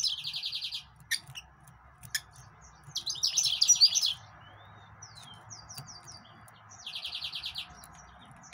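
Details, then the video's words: Yellow-fronted canary, also known as green singer or Mozambique canary, delivering three bright rapid trills of evenly repeated high notes, one of them ending in a sweeping slur, with clicks between phrases and a low hum. "طائر الياسمين كنار الموزمبيقي GreenSinger"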